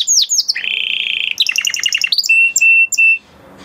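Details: Male canary singing: sweeping high notes, then a long steady buzzy trill, a rapid rattling series of chirps, and three sustained pure whistled notes before quiet.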